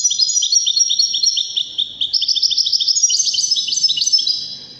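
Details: Goldfinch song in the Waddani style, intended for chicks and hybrids to copy: nearly five seconds of continuous bright, tinkling twitter with quick repeated notes rising slightly toward the end.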